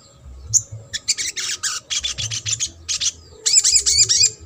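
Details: Sogok ontong in trotol style, used as playback to stir silent or lazy birds into singing: dense bursts of very high, sharp chirps and rattling notes, then rising squeaky whistles with a lower echoing harmonic.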